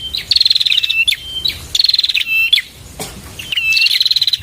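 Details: Bar-winged prinia song: three high trilled bursts with short whistled notes between them. A brief click-like sound falls in a pause midway.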